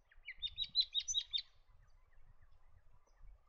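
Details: Chestnut-crowned babbler making a quick run of about seven bright, chirpy notes lasting just over a second. Each note is slightly rising and stuttered. Faint low rumbling sounds in the background.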